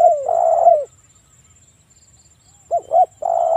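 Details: Spotted dove calling in breeding condition as a lure to provoke others: a falling coo running into a long flat buzzy coo, nearly two seconds of quiet, then two quick arched coos and another sustained note; faint high whine.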